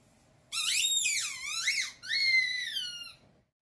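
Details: Male umbrella cockatoo kept as a pet, giving a taught sound in a small room: a long, shrill, harmonic squeal that dips and swoops up and down, breaks briefly, then resumes as a steadier squeal that slowly falls away.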